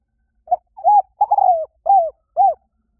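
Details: Lure call of a spotted dove: five soft, low coos in a row, opening with a brief note, then a long rough middle coo and two rounded falling coos, evenly paced against silence.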